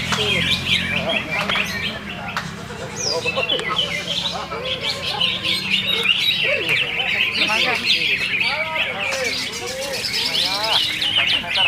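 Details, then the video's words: A greater green leafbird in full song: a long, continuous flow of varied whistles, chatters and slurred notes, fast and rich. A low rumble and some faint voices sit in the background. "Cucak ijo FULL DURASI"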